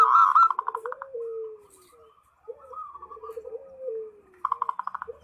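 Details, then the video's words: Zebra dove (perkutut) singing actively while calling a rival, used as a lure bird. A loud buzzy pulsed roll opens, then low sliding coos and softer rolling notes, and another pulsed burst closes. "SUARA PERKUTUT MEMANGGIL LAWAN"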